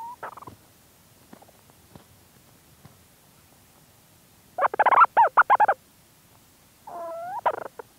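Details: Close-up of a Leach's storm petrel calling from inside its burrow, with movement sounds: a brief stutter, then a fast chuckling burst of about eight pulsed notes and a shorter rising-falling chatter, with faint rustling between.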